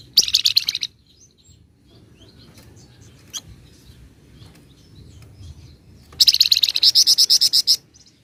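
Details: Flamboyan bird singing the ngebren and nyecret style: a brief high chattering burst, a long quiet gap with faint ticks, then a sustained run of fast, evenly repeated buzzy notes.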